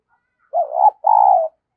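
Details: Spotted dove decoy call used to lure wild doves: two low, mellow cooing notes, the first dipping then rising, the second a steady hum, separated by a short pause, against a silent background.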